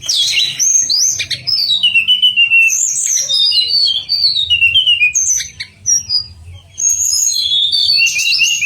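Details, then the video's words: Pied fantail sweet song for training contest birds; long cascades of whistled notes sliding downward, rapid repeated chips, a short quieter gap, then renewed high whistles. "Manis Kicauan TLEDEKAN"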